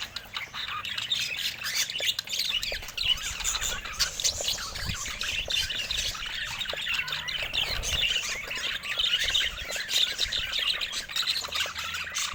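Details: Continuous budgerigar flock noise: a constant wash of high, raspy squawks and chirps overlapping without a break for the full twelve seconds.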